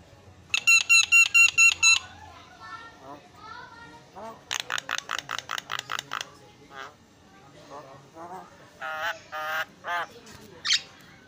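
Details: Javan myna singing actively in a tutor recording: a fast run of nasal, honking notes, then a varied stretch of whistles and rasping syllables, then a second burst of evenly spaced nasal notes and scattered squeaky calls.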